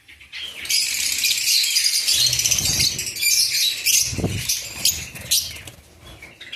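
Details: Lovebirds giving dense, shrill, high chattering calls that run almost continuously and rapidly, with a few low thumps in the background.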